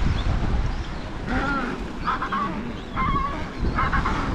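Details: Adelie penguin fledglings on Devil's Island in the Weddell Sea, Antarctic Peninsula, chasing their parents and begging for food; four short, harsh, nasal squawks in quick bursts, over a steady low rumble of wind or surf.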